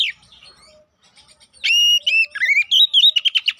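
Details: Lure song of an Oriental magpie-robin to trigger aggression, opening with faint notes, then a burst of loud ringing whistles, a descending slur and fast rhythmic chips.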